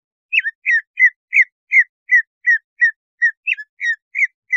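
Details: Cucak ijo (greater green leafbird) song meant to trigger breeding condition and aggression: a steady series of short, bright, downslurred whistles, about three per second, some notes rising then falling, on a quiet background.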